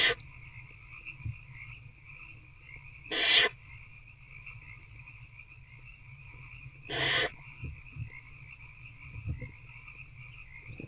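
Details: Barn owl at night in a nest box on 19 February 2024, an adult feeding an older owlet; two harsh, broadband hissing screeches about four seconds apart over a steady electrical hum and soft low thumps.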